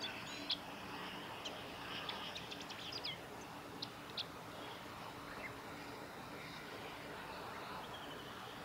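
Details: A male Chestnut-eared bunting gives a brief run of high, sharp chirps and ticks over about four seconds, with steady outdoor hiss, on the Kirigamine Plateau, Japan, on 24 June 2018.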